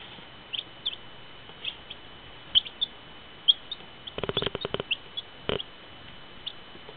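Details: Baby chicks; short, thin high peeps scattered irregularly, some in quick pairs, with a burst of rapid clattering clicks midway through and a steady faint hiss.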